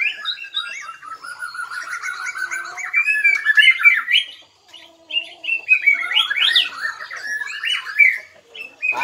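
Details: White-rumped shama of Bahorok origin with black legs, singing in rapid-fire style: a long, varied run of rich whistled and chattering phrases, sliding and warbling, with a short pause near the middle before a second burst.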